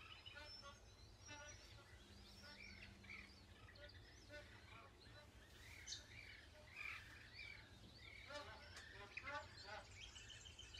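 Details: A flock of plumed whistling ducks at Lake Galletly, Gatton, South-East Queensland, on 21 June 2024, gives shrill, twittering whistles that overlap constantly, with a low steady rumble beneath and possibly faint voices.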